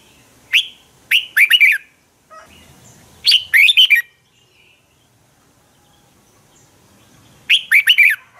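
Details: Red-whiskered bulbul morning fighting song to spur birds to sing: a sharp lead note then loud fast whistled phrases, repeated three times over about eight seconds in quiet surroundings.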